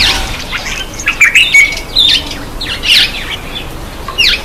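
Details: Black-eyed bulbul taking a bath, giving bright chirps and slurred squeaky notes in quick irregular bursts, some with brief whistled tails, over a quiet background.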